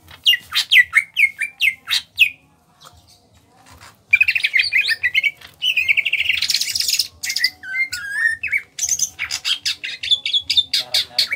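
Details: Greater green leafbird from Kalimantan, a small-bodied bird, in full ngentrok song: bursts of sharp rising and falling whistles, quick chattering notes and buzzy trills. Brief pauses separate the bursts, with a faint low rhythmic thumping underneath.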